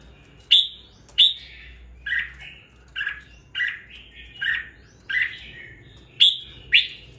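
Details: Red-whiskered bulbul kept caged, two weeks after purchase, voicing with some spirit; a steady series of about ten short whistled and burry phrases, roughly one every half second, high sharp notes at start and end.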